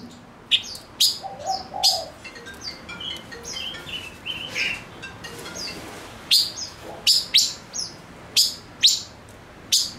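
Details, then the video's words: Male silver-eared mesia decoy delivering a busy stream of sharp chirps and short buzzy slurs, densely packed at the start and end, with faint low background sounds. "Chim ngũ sắc mồi hót cực hay kích bổi nhanh nổi | chim ngũ sắc hót | ngũ sắc trống"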